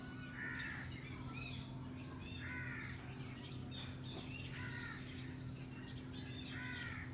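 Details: Alexandrine parakeet playing on a cage alongside a green ringneck parakeet; harsh, grating squawks with a rasping, layered tone, repeated roughly every two seconds, four calls in all, over a steady low hum.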